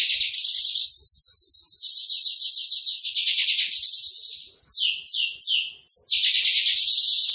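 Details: Masteran recording of a spotted 'trotol' Javan bush lark: a dense, buzzy, high rattling trill runs almost without break, interrupted near the end by three separate sweeping notes before the rattle resumes.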